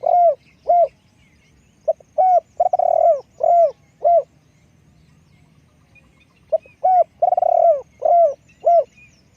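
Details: Spotted dove serving as a decoy gives two full coo sequences, each several round descending hoots around a drawn-out vibrating note, separated by a silent spell of about two seconds, with soft low hum beneath.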